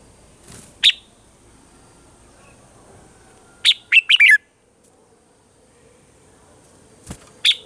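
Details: Red-whiskered bulbul morning song, mature forest-style voice, played to train caged birds: scattered single chirps around a fast cluster of four or five bubbling, downward-slurred whistles, with a soft hum behind.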